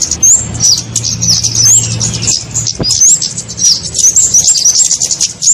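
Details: Kemade bird lure sound for trapping: high, thin twittering with quick slurred whistle notes, steady and continuous, over a faint low hum and a single soft knock.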